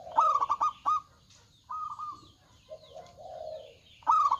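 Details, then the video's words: Loud local zebra dove singing: an opening burst of quick stuttering coos, then a higher held note and a low mellow coo, ending with another pulsed burst. "PERKUTUT LOKAL GACOR Suara Besar"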